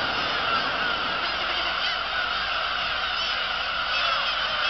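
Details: Black-tailed gulls at Kabushima, Japan, recorded on 2 August 2012, form a dense, continuous colony chorus of overlapping harsh, nasal mewing calls with no pause.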